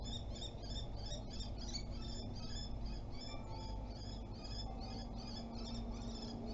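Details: Common kestrel defending its territory at Théding on 27 April 2021: a rapid, evenly spaced series of sharp, high repeated notes, about three a second, throughout, over steady low rumbling background noise.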